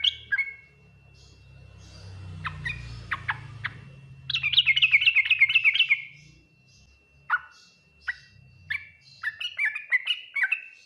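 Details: Yellow-vented bulbul singing Ngriwik, Nguplik, Tuklik-Tuklik style to prompt replies from other bulbuls; sharp single chirps, a fast rattling run of repeated notes, then spaced chirps and a short phrase, over a faint low rumble.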